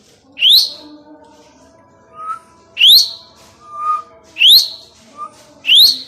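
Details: Plum-headed parakeet calling repeatedly: sharp, rising whistled notes about every 1.3 seconds, with softer short tones between them and a person's voice nearby.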